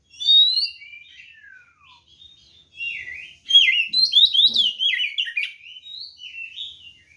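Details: White-rumped shama fighting song for provoking other birds: a clear whistle and a descending slurred note, then quieter twitters building to a long loud run of varied rapid whistles.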